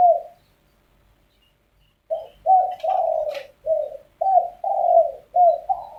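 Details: In the morning, arguing spotted doves give a single coo and then a pause. A steady string of short, throaty, slightly rising coos follows, and a sharp higher click cuts in briefly.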